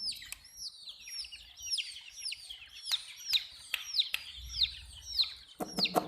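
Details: Baby chicks drinking water, giving a steady stream of high, downward-sliding peeps, roughly one or two a second, overlapping from several birds, with sharp tapping clicks scattered between them.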